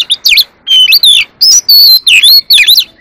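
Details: Oriental magpie-robin singing in competition: loud, rich whistled song of swooping, slurred notes, rapid up-and-down phrases with brief gaps, clear and close.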